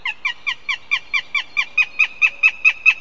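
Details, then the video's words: A northern goshawk at a Riga, Latvia nest on live camera starts its begging: about fourteen harsh, slightly two-part yelps delivered steadily at around four per second, growing a little louder toward the end, with nothing else audible. "Goshawks Riga/BKUS ☆ Pērle begins with begging calls"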